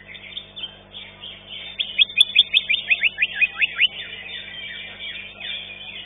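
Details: At a singing contest, a green leafbird (cucak ijo) that finished fifth gives about ten loud, evenly spaced rising chirps in the middle of the clip. A busy chorus of other birds sounds throughout.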